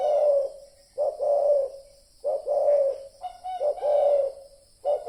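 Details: Spotted dove calling as a lure for decoy trapping: deep, soft cooing phrases repeat roughly once a second. Each coo is rounded and resonant, and some carry brief higher overtone bursts.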